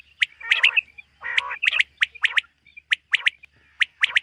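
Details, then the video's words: Morning in a summer meadow, a common quail produces sharp high chirps in short runs plus two drawn-out, harsh, nasal rasps, with a faint low hum in the background. "Common Quail. Bird sounds from summer meadow |suba batair ki awaz 2023 | morning batair 2023"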